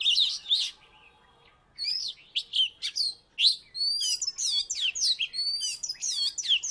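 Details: Oriental magpie-robin from Salatiga, formerly third in a contest, in full song: after a short pause, a rapid stream of ringing whistles, many sliding up then down, grows denser toward the end.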